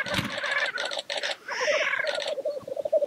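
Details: Black grouse displaying at the lek: steady low bubbling rookoo runs underneath while loud, buzzy hissing bursts and harsh chattering notes break in through the first half.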